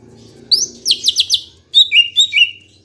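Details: Green leafbird, kept as a songbird, singing a lure song to prompt other birds to sing: a sharp rising note, a run of four fast buzzy downswept notes, then bright whistled phrases sliding downward, with faint low hum beneath.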